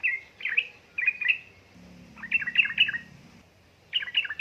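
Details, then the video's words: Yellow-vented bulbul, a lure recording meant to stir lazy birds into singing, female calling male; bright bubbly chirped phrases in three bursts, each a quick cluster of warbled notes separated by short pauses. "pancingan burung trucuk gacor ropel ngeriwik|| suara untuk trucuka bahan malas malasan bunyi"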